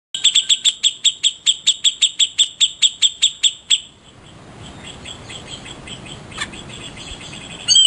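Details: Grey-cheeked bulbul (cucak jenggot) kept as a favourite master bird for tutoring songbirds. It gives a fast train of sharp, identical high chips, about two to three a second, for nearly four seconds, then stops, leaving a soft background hiss.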